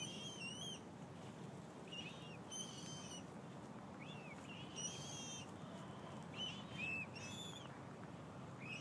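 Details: Common moorhen chicks with their mother at Lake Carillon, St. Petersburg, Florida, give thin, high, arched peeps, singly or in quick pairs, over a steady low background rumble.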